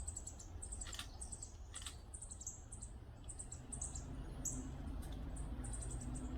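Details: Northern Parula fledgling at Lettuce Lake Park, Tampa, Florida, on 2 May 2022, gives very high, thin chips in quick, uneven runs, several each second, over a steady low rumble.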